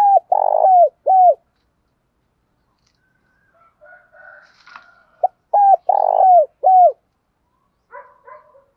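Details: Spotted dove, male and female, cooing to call the flock, used as a lure for training birds; low, throaty hooted coos in two bursts of three or four notes, with softer chirping between them.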